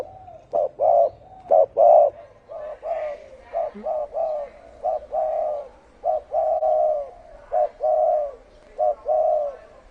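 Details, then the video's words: Spotted dove singing in the thổ ồm and thổ đồng styles: a fast run of low, mellow coos, some short and clipped and others longer and drawn out, delivered in quick succession with brief gaps. "Tiếng chim cu gáy thổ ồm kích thổ đồng siêu tốc"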